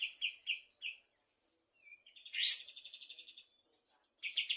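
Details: Afternoon song of a bulbul: four clipped whistled notes, a silence, then a sharp rising note opening into a fast buzzy trill, and another burst of bright notes at the close.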